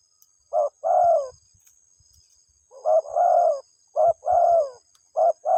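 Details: Spotted dove calling its mate: hoarse cooing phrases, each a short coo followed by a longer, slightly falling coo, repeated about every two seconds, with a faint steady high hum in the background.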